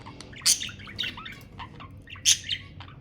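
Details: Budgerigars chirping to stimulate mating: a few short, sharp high chirps and squawky notes spaced out over a quiet background, with two brighter bursts standing out.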